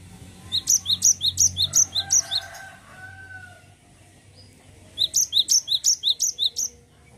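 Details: Cinereous tit singing its continuous rolling song in two bursts of about seven or eight high, sharp paired notes each, evenly spaced about three per second, separated by a short pause.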